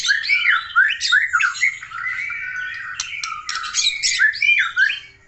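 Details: White-rumped shama of the Aceh type, singing vigorously: a rich, fast stream of whistled phrases, slurred rising and falling notes mixed with sharp chips and buzzy fragments, with almost no pause across the clip.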